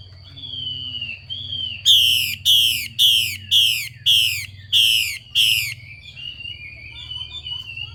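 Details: Female Chinese hwamei calling to excite males into singing: soft whistled notes at first, then seven loud, harsh hissing bursts in a steady run, each about a third of a second long, followed by faint distant warbling.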